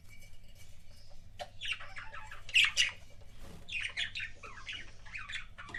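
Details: Pet budgerigar giving kissing sounds: a quiet start, then bursts of scratchy chirps and squeaks, a loud squawky peak midway and renewed quick warbled chatter, faint steady hum behind.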